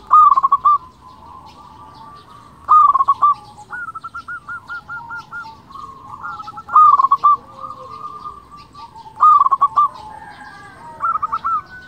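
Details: Repeated song of an actively singing local zebra dove, used as a lure to provoke silent or rival doves: loud stuttered coo phrases come roughly every two to three seconds, with softer tonal cooing from other doves filling the gaps.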